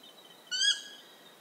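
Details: A Stygian owl in Ecuador utters one squealing, reedy call of about a quarter second, bright and harmonic, while a constant high-pitched insect whine runs underneath.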